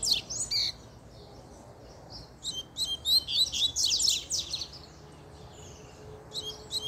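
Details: Double-collared seedeater singing excitedly after a female appeared: bursts of high, rapid chirps and twittering trills, loud in a dense run in the middle, with quieter phrases before and after over a steady low background hum.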